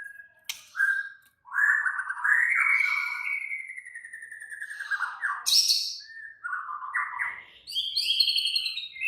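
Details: Agitated, excited white-rumped shama singing in a way said to stir up other shamas: a long run of varied whistled phrases, some sliding and warbled, others sharp high bursts, with no other sounds.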